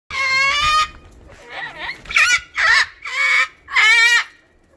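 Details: A cockatoo freaking out and waking the neighbours lets out a long, harsh screech, then four shorter raucous squawks in quick succession, loud and grating, with nothing else in the background.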